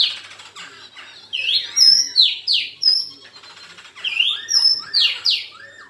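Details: Fighting song of a black-throated laughingthrush: bright, loud whistled slurs, several sharply rising, come in quick runs of three or four with short gaps.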